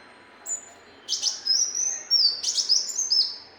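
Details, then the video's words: Muncang sunbird, called kolibri muncang locally, used as a training recording for songbirds: high, thin song of sharp clicking notes and level whistled trills around 4–8k, in two bursts after a faint opening note. "MASTERAN SUARA BURUNG KOLIBRI MUNCANG"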